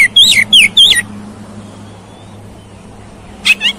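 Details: Oriental magpie-robin (kacer) song meant to trigger a fighting response: one quick phrase of three loud slurred whistles, then near silence with a steady low hum, and a brief burst at the end.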